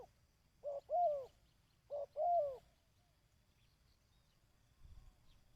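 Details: A dove gives the kích bổi call used in decoy training: two matching phrases about a second apart, each a short note followed by a longer arched coo, then quiet.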